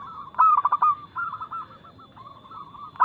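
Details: Local zebra dove (perkutut) with a fast, loud, clear cooing song intended as a lure for other birds. An abrupt burst of quick coos gives way to quieter, evenly rolling notes, and a new burst starts at the end.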